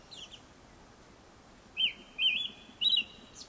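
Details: Japanese thrush before sunset giving a short burst of three loud, rich slurred whistles in quick succession after a faint opening note.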